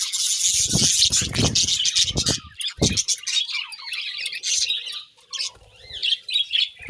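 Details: Several budgerigars at morning feeding chatter constantly, with dense high twittering chirps and squawks overlapping. Low thumps and handling noises sound during the first three seconds.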